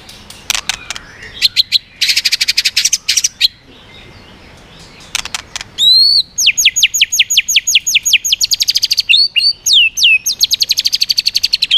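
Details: White-rumped shama singing in the swiftlet-ringing style, switching voices and flicking its tail to strongly provoke other birds; bursts of sharp high clicks, then a long run of rapid repeated whistled upslurs and buzzy notes.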